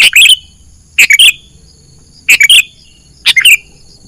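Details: Sooty-headed bulbul lure call used for trapping wild birds: short bright phrases of three quick notes ending in a falling whistled slur, repeated about once a second, with a faint steady high hiss behind.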